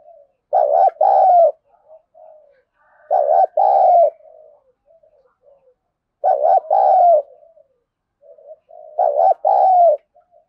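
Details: Spotted dove cooing in the contest style known as "giọng thổ sấm": loud, deep paired coo notes repeated about every three seconds, with soft low murmurs between phrases, otherwise quiet.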